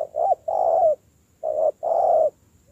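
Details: Wild-caught spotted dove in decoy training gives two coo phrases, each a short note followed by a long, even, slightly descending coo.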